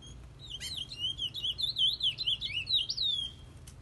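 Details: Chestnut-bellied seed finch, the curió of Brazil, delivering a flowing high warbled phrase of rapid rising and falling whistled notes, continuous for about three seconds, with faint room hum beneath.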